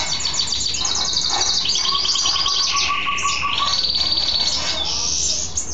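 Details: Male mule goldfinch, a goldfinch hybrid kept as a pet, singing happily after a bath; a long, rich warble mixing rapid high twittering trills with sustained lower whistled notes and stepped pitch changes, with a steady low background hum.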